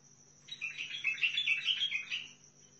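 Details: Sihani bulbul from Al-Faw in Basra sings a two-second run of jumbled, melodious whistles rising and dipping, over a soft low hum.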